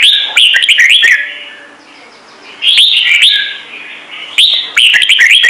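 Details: Red-whiskered bulbul singing in the Trung Mang voice, said to make newly caught birds sing: three bursts of loud, clear whistled notes that rise and fall and loop quickly, separated by short quiet gaps.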